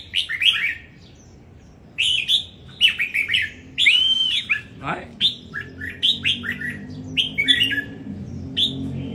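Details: Competition song of a caged red-whiskered bulbul from Đồng Nai: short, bright whistled phrases in separate bursts, each a quick tumble of rising and falling notes, with a low background hum throughout.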